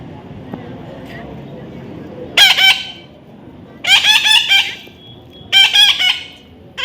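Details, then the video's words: Baby parrot being tamed, producing three loud bursts of harsh repeated screeches roughly every one and a half seconds, each burst made of several grating notes, with quiet gaps between. "natural funny parrot sound"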